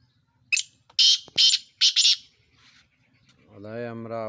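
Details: Black francolin (sindhi type) giving a series of loud, harsh, grating notes in quick bursts, followed by a lower, tonal, harmonic sound near the end.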